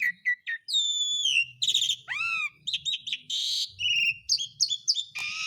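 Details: Asian pied starling song played as a calling lure for lazy birds: rapid mix of short chirps, long descending whistles, swooping upslurs and scratchy buzzy bursts, with faint low rumbling beneath.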